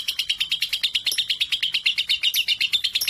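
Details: Lovebird at 3.5 months, singing boldly alongside adults and suited for tutoring other birds: a fast, even series of sharp high chirps, about seven per second, with occasional higher squeaks on top.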